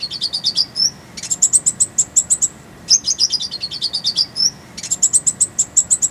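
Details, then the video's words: Brown-throated sunbird (konin) song used to tutor birds: dense, rapid high twittering, a falling run ending in a short whistle, a brief pause, then a fast series of sharp repeated chirps; the pattern repeats twice. "Masteran Konin_Kolibri Ninja"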